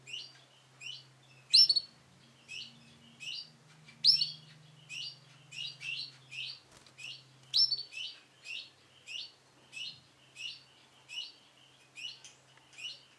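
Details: Long, even run of high, upslurred chirps from a male canary of the Sunkist colour, about two per second for over thirteen seconds, with occasional louder shrill notes and a low hum in the background.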